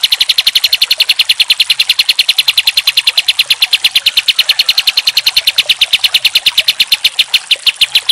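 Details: Kapas tembak singing of a pied triller, recorded as a training master for songbirds: very fast, machine-like rattle of high, clipped notes, steady and continuous throughout.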